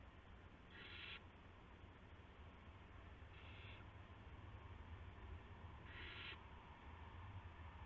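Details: Owl bringing a gopher to another owl on the evening of March 18, 2016; three brief raspy hissing screeches, spaced about two and a half seconds apart, against a loud low droning background.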